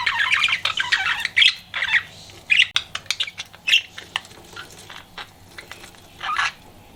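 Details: Pet budgie flirting, chattering with harsh squawky chirps and warbled notes in irregular bursts, busy at first, then sparser clicks and a final loud squawk, against a low steady hum.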